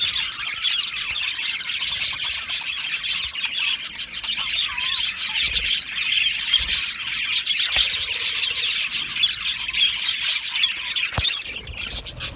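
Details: Aviary full of happy budgies chattering: steady mass of high chirps and warbling notes, occasional harsher squawks, and a sharp knock near the end.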